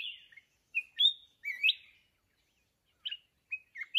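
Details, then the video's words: Red-whiskered bulbul from the mountains, lured by a decoy bird in a fight trap. It gives quick clipped whistled notes, then a silent gap, then short chirpy phrases with sharp upward slurs. "Chào mào núi bẫy đấu"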